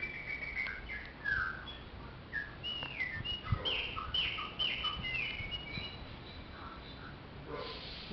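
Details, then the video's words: Song of a Chopi blackbird, a loose run of short whistled and slurred notes. Some rise and some fall, there is a brief fuller burst near the middle, and a faint low rumble runs beneath. "CANTORIA DE PÁSSARO PRETO"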